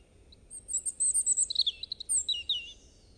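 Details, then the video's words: A European robin sings one continuous high phrase of sparkling twitters and thin whistles, dropping into a short, liquid descending trill, over a constant low rumble of background noise. "Robin Bird Song"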